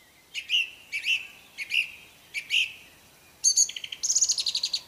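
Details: Wild orange-banded thrush singing: four evenly spaced sharp chirps with buzzy harmonics, then a fast rattling burst and a run of quick high repeated notes, in a quiet setting.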